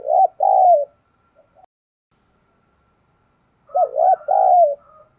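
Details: Spotted dove cooing as a lure to provoke cooing: a loud low two-note coo, a long silence, then a three-part coo with the last note drawn out and falling.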